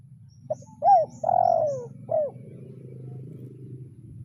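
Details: Rival-calling spotted dove trained as a lure bird, 'kuk 0-1' style. One clear four-part coo phrase, short, arched, long falling, then short, followed by a low droning hum.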